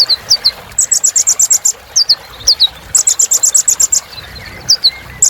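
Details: Loud, high kolibri ninja sunbird song mixing quick downslurred chirps with two long rapid buzzy trills, each of about a second.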